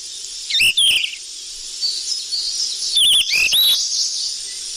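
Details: Sikatan emas flycatcher lure call: two brief bursts of piercing whistled notes with harsh rasping edges, about two seconds apart, separated by a constant high-pitched background hiss.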